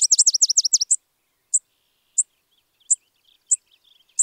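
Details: American sparrow of the genus Spizella giving a quick run of about eight sharp, down-slurred high notes, followed by single bright chips spaced roughly every half second.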